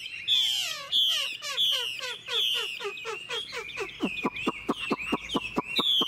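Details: Caged Chinese hwamei singing on a morning after being fed fresh food and hung out in the sun: loud, rich phrases of repeated whistled notes with sharp downward slurs, several per second, ending in rapid clipped notes.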